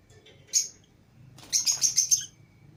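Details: Lovebirds, including green Fischer's and lutino pairs, chirping while let out of the cage with other lovebirds: a single piercing chirp, then a rapid run of about five shrill chirps.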